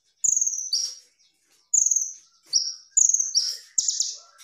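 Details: High clear whistles from a 'gacor' kolibri ninja sunbird for tutoring, falling in two steps per phrase, phrases spaced about a second apart, ending in a dense buzzy burst.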